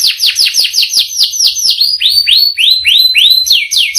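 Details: Canary song made of clear whistled notes: quick downward slurs, then slower rising-and-falling notes, repeated roughly three times a second, loud and clean.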